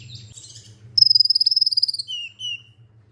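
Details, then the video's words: Olive-backed sunbird song: a rapid, buzzy high trill of evenly pulsed notes lasting about a second, dropping into a short lower trill, with a steady low hum underneath. "MASTERAN merangsang KOLIBRI NINJA UNTUK PANCINGAN KONIN"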